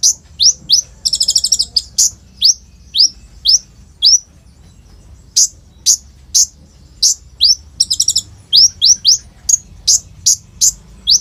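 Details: Olive-backed sunbird, recorded by phone, singing a long song stuffed with imitations and rapid rolls to coax untrained sunbirds; steady series of rising whistled notes broken by two fast buzzing trills.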